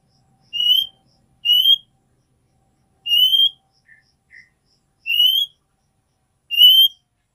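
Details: Caged female oriental magpie-robin giving her 'nyiul' call to summon a male. Rising, pure whistles repeat about every second or more, with two tiny soft notes in between. Otherwise quiet room.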